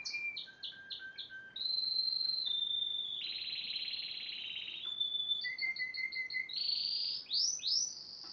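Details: Song of a yellow Spanish timbrado, 2011: opens with separate descending whistled notes, then long metallic trills held on one pitch, a clipped repeated series of notes, and sweeping rising whistles at the close.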